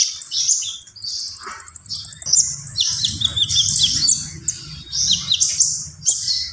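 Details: Energetic common iora song made of rapid, high-pitched chattering runs and sharp whistled slurs, packed closely together, with a soft low rumble running underneath.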